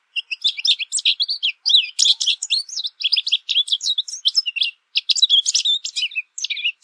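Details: American goldfinch singing a long, tumbling series of high, sweet twitters and slurred sweeps, delivered in fast bursts separated by very brief gaps, on a quiet background.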